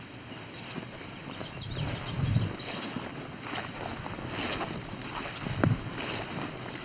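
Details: Wind and water rumble, with a few dull knocks and bumps, and no animal calls.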